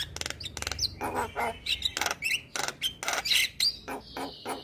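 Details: Song of a male white-eyed Javan myna, played to coax lazy mynas into singing: rapid chattering chirps, clicks and short buzzy notes, with brief whistled slurs and a sustained high tone near the end.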